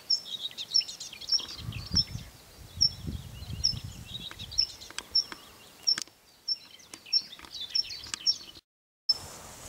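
Tree pipit song: a steady run of sharp, high notes about twice a second, with softer chirps and other birds behind and a low rumble early on.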